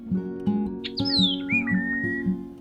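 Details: Scarlet-headed Blackbird vocalizing in trees by a stream with marsh vegetation and cattails in a small urban park in Turdera, Buenos Aires suburbs: clear whistles, a high note slurring downward then a long steady lower whistle, over strummed guitar music.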